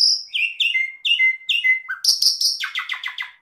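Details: Asian pied starling (jalak suren) training song for caged birds: a series of whistled notes each ending in a flat held tone, then a low note, harsh noisy bursts and a fast descending stuttered chatter.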